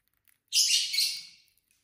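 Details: Pet lovebird at dinner time, giving one drawn-out shrill, rasping screech lasting about a second that fades gradually.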